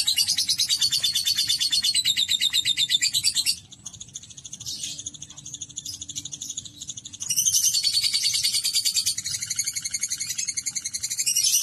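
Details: Caged lovebird giving long ngekek chatter, a dense run of fast, harsh high notes repeated several times a second, easing into a quieter, thinner stretch midway before the loud rattling burst returns.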